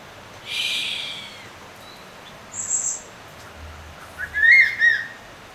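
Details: A crested serpent eagle (Spilornis cheela) gives high, ringing whistled notes in three short bursts over a few seconds, with a faint steady background hiss.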